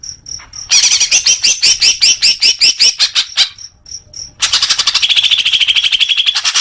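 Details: Greater green leafbird song used to make caged birds sing more: rapid high chattering notes repeated in fast bursts, then a long buzzy trill held steady, with short sharp chips before.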